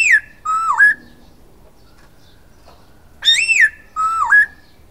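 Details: Silver-eared laughingthrush singing: a loud arched whistle sliding down, then a lower note dipping and rising again, the two-part phrase repeated after a pause of about two seconds.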